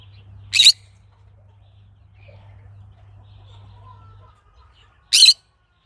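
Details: Green-cheeked conure calling with two abrupt, grating squawks roughly four and a half seconds apart, each rough and noisy, while a low mechanical hum runs underneath and fades before the second call.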